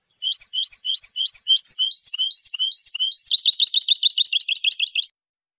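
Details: Male European goldfinch singing a clean song: a fast, tinkling twitter of high chirped notes, about three per second, speeding into a dense rapid run near the end; no other sounds.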